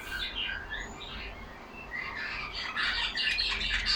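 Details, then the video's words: Pet budgerigars in a cage chattering to each other, soft twittering warbles and short whistled notes, building to a busier burst of overlapping chirps in the final second and a half. "Lovely parrots talking among them."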